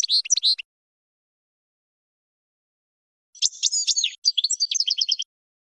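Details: European goldfinch training song: a brief twitter at the start, long silence, then a phrase of bright chirps ending in a quick repeated trill.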